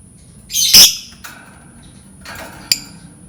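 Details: Lovebird, its voice meant to lure other lovebirds into learning to sing, gives one loud raspy screech, then fainter scratchy chirps and a sharp click, over a constant faint high-pitched hum.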